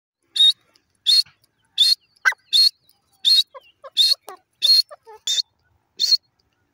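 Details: Grey francolin pair calling: loud, harsh, buzzy notes repeated in a steady series about every three-quarters of a second, with softer short chirps heard between them.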